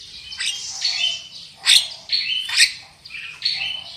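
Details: Black-winged myna song used as a lure to make other birds sing loudly: harsh broadband squawks about every second alternating with short whistled notes and buzzy mid-pitched phrases, fairly irregular.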